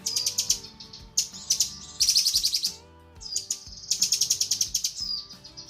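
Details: Cucak kinoi female calling to a male, a training recording: four dense bursts of fast, scratchy high chatter, each about half a second to a second long, linked by thin whistled notes, with soft low hum beneath.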